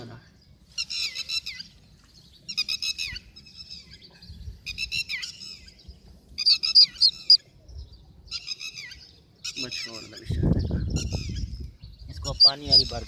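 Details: Red-wattled Lapwing (Vanellus indicus), May 2022, giving loud, shrill, piercing bursts of three or four notes about every two seconds, with a brief low rumble of noise near the end.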